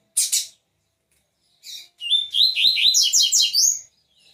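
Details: Perched caged Double-collared Seedeater giving a paired harsh buzz, a brief pause, then a long, fast, tumbling song of sweet whistled and twittering notes climbing in pitch toward the end, in a quiet setting.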